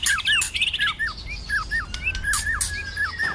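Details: White-rumped shama in intense cold-season fighting song with tail-flicking and clicking notes: quick repeated hooked, downslurred whistles after a burst of high, scratchy notes, with a long level whistle in the background.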